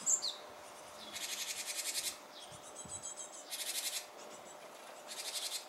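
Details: Japanese tit near fledging time, seeming to hold back: three separate bursts of rapid, rasping pulsed buzzing, the first about a second long, the later ones shorter, with a thin high note at the start and background hiss.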